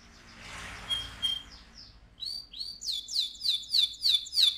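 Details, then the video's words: Singing AF canary at high volume, a few soft notes giving way to a series of loud sweeping whistles repeated about twice per second over a sustained high tone. "KENARI AF GACOR, NGEROL VOLUME KERAS"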